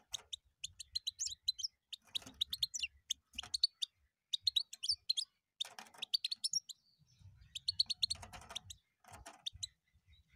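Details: Lively European goldfinch singing in several quick bursts of twittering, chiming notes mixed with raspy buzzes, separated by brief gaps; a soft low hum underneath.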